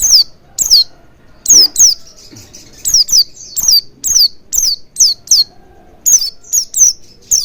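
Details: Oriental white-eye lure, played so birds start singing with beaks wide open: a dense, lively run of high, sharply descending whistled notes, many in quick pairs, almost continuous throughout.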